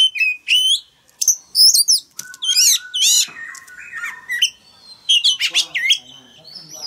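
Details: Energetic song from a male oriental magpie-robin, sung to spur a young bird to join in: a dense, varied stream of whistles, trills and harsher squeaky notes jumping between pitches, with few pauses.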